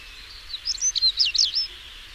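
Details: Song of a European stonechat: a single hurried phrase of high, twisting whistled and scratchy notes lasting about a second, with faint low background noise.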